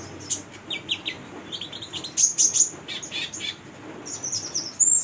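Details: A female konin (sunbird) in full song gives rapid, high, sharp chirps in uneven bursts, ending with a thin rising whistle; used as a lure to prompt young konin to sing.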